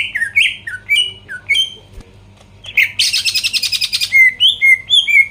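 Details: Greater green leafbird song used to provoke rivals: short rising and falling slurred whistles, a pause, then a dense buzzing rattle followed by crisp high whistled notes.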